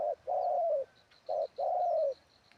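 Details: Ground-decoy spotted dove giving its wild-style song. Two phrases each pair a short rounded coo with a long, even, slightly falling coo. Faint high chirps repeat behind, over a light hiss.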